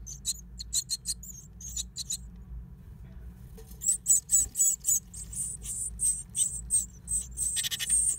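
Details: Great tit at its nest inside an old stove, giving quick high-pitched squeaks in bursts, a brief pause near the middle, then louder, more continuous shrill calling over a low background hum.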